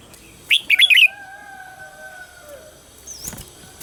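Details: Red-whiskered bulbul singing its morning training song, a lure sound for coaching other birds: a short, loud, bubbling burst of chirpy notes, followed by long, thin, steady whistles and a faint later chirp.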